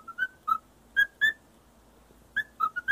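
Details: Pet male parrot whistling a learned tune to a feather duster indoors: clear, pure whistled notes in short bursts, a cluster of five, a pause, then four more quick notes, some sliding slightly upward.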